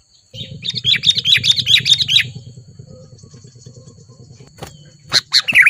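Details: Wild sooty-headed bulbul confronting a rival in Lubuklinggau city: a fast string of bright, repeated chirps lasting about two seconds over a low hum, then clicks and a short burst of chatter near the end.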